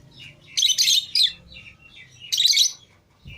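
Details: Lovebirds let out of their cage alongside other lovebirds, green Fischer's and lutino pairs among them, producing two bouts of scratchy, high, buzzing chirps separated by quieter twittering.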